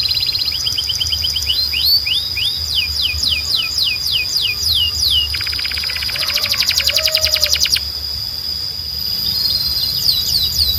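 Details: Belgian canary singing to call the other canaries to sing. Rising and falling sweeping notes repeat rapidly, then a loud dense buzzy rattle lasts about two seconds, followed by quieter high notes.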